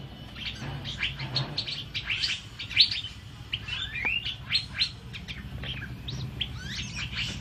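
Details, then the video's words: Asian fairy-bluebird in full, lively song used to train other birds. It gives a busy stream of high chirps and quick slurred whistles, one bright upslurred note standing out, over faint background rumble. "Burung Cucak Biru Gacor Untuk Masteran"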